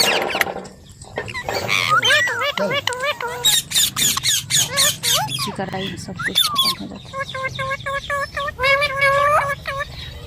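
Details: Indian ringneck parrot talking like a human, producing a long stream of rapid speech-like syllables mixed with harsh clicks, then steadier repeated harmonic notes toward the end, over a faint background hum.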